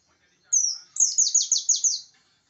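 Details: Pacitan oriental white-eye singing aggressively to challenge rivals: a single long, high slurred note, then six evenly spaced, very high chirps, each sliding steeply downward, in a fast run.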